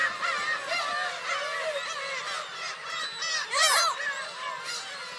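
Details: Black-tailed gulls at a huge breeding colony of over 30,000 birds at Kabushima Shrine, Hachinohe, Japan, give overlapping nasal, cat-like mewing cries, arched and wavering, several a second, with a louder cluster of calls near the end.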